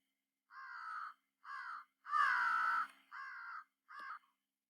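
An American Crow gives five harsh, nasal caws at an even pace, the middle one longest and loudest; nothing else is heard.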